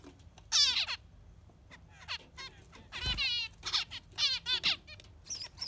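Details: Yellow finch singing in bursts of rapid, harmonic trills and sweeping notes that slide down, with short gaps between phrases and a faint low hum underneath.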